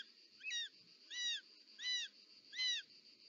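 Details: At a nest in Parc Natural dels Ports, Catalonia, 18 July 2024, a short-toed snake eagle calls while the mother delivers a snake: four clear, ringing, downslurred whistles evenly spaced about 0.7 seconds apart over a low background hum.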